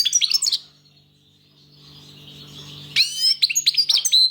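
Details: European goldfinch song: two bursts of high, rapid, liquid twittering with tinkling upsweeps, separated by a two-second gap over a steady low electrical hum.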